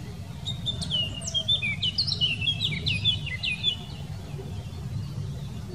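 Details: Song of a Eurasian blackcap recorded in the Wittlicher Tal, Germany, in 2018, a lively, tumbling warble of varied fluty and scratchy notes lasting about three seconds, then fading, with a low rumble throughout.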